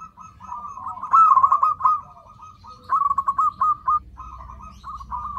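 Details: Zebra dove calling as a lure to draw in other zebra doves: a low, wavering cooing trill, then a burst of rapid stuttering coo notes near the end, with faint low background rumble.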